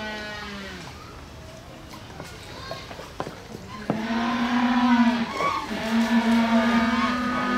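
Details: Humboldt penguin at Hamura City Zoo, Japan, on 20 June 2015: after scattered quieter sounds and voices, a loud harsh braying call starts at four seconds, a low steady drone with rich harmonics in two long pulses.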